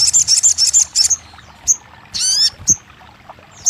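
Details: Crested jay song, used to coax silent birds into singing: short bursts of very high, rapid rattling notes, then several sharp downward-sweeping whistled chirps separated by pauses.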